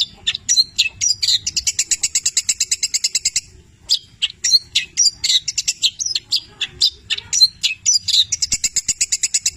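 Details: Long-tailed shrike singing vigorously in 'petir' style, song stuffed with imitations of labet and canary: fast, dense bursts of high trills and sharp whistled notes, rapid chip series alternating with brief pauses.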